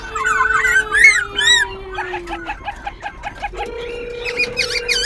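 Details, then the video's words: White-browed laughingthrush kept in a cage in Bình Chánh, Ho Chi Minh City, singing and dancing with tail and wings; rich looping whistles, then a burst of rapid repeated chips, over a sustained low droning tone. "Khướu Bạc Má Bổi Lỡ Hót Múa Đuôi Cánh Đảo Giọng Liên Tục Siêu Đẳng Cấp. Quá Hay."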